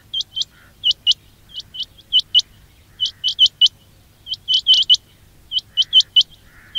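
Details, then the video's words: Quail calling sound meant to attract quails for trapping: piercing, rising chirps, often paired or tripled, repeated steadily throughout over a faint background hum. "quail batair ki awaz"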